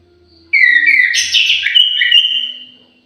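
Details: Orange-headed thrush kept in an aviary, singing one loud melodious whistled phrase of about two and a half seconds, opening high and sliding lower, with rich warbled notes that fade out at the end.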